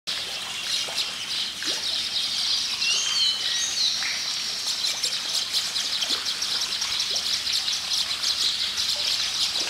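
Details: Baya weavers chirping: a dense, continuous, buzzy chorus of high chatter, with a few clear whistled notes around the third second over a steady rustling background.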